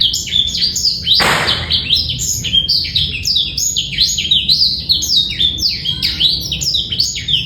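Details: Black-throated canary male, clear song with no rattle, used as a master tutor for juveniles; an initial whooshing burst gives way to a long, rapid chain of high, sliding chirps and trills.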